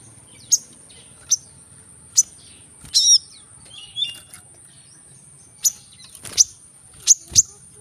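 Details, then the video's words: Brown-throated sunbird singing to encourage birds that are reluctant to sing: scattered thin, very high ticks roughly every second, with one short twittering burst, all over a steady high-pitched whine. "Kolibri kelapa | manggar | suara untuk burung malas bunyi"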